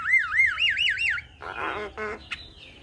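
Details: Javan myna singing a mimicry-filled song meant to prompt other mynas to answer: a run of rising-falling wavering whistles like a siren, then harsh buzzy rattles and a thin high whistle.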